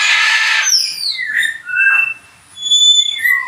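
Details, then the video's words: Macaw giving a short harsh, broadband squawk at the start, followed by thin whistled sweeps that slide down in pitch and a few high tonal notes near the end. "Macaw Exotic Parrot, Macaw Sound"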